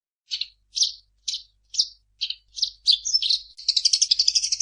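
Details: A Eurasian tree sparrow (burung gereja) in gacor singing gives six evenly spaced sharp chirps, then jumbled twitters running into a quick trilled chatter at the end.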